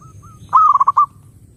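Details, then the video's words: One zebra dove phrase played to draw in other doves: two faint short whistles, then a loud quick run of five stuttered coo notes. "SUARA BURUNG PERKUTUT _JERNIH_💯AMPUH_SEKALI PUTAR SEMUA PERKUTUT LANGSUNG NYAMBER"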